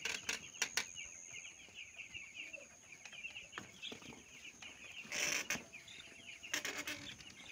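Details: Small broiler chicks kept on a farm, a dense flock chorus of high, thin cheeps running continuously and overlapping, with sharp knocks and clatters breaking in, loudest near the fifth and seventh seconds.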